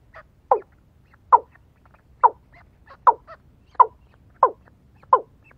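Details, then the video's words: Watercock answering a female decoy bird: resonant, falling notes repeated about every 0.7 seconds, with softer short notes between them and a quiet background. "PIKAT BURUNG AYAM AYAM MENGGUNA DENAK BETINA"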